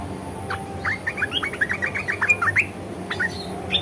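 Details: ["Red-eyed bulbul in 'ngeriwik' and 'ngebren' style song, pouring out a fast string of crisp chirping notes that rise and fall for around two seconds, then a few scattered notes, over a constant low hum."]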